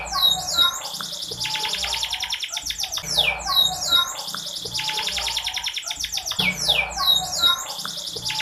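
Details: Female canary sound meant to raise a reluctant male's urge to sing. A phrase of sharp chirps and rattling trills repeats about every three seconds over a faint low hum.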